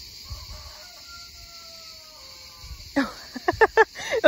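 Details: Several roosters crowing near a school in Gelendzhik, Russia, summer 2020, among singing cicadas: one long, drawn-out crow slowly falls away, then people start talking nearby.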